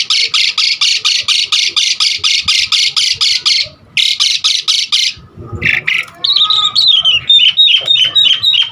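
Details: Asian pied starling singing a lure and tutor song: a long, fast, even series of harsh rasping bursts, a short break, more rasps, then a softer twittering run of whistled notes.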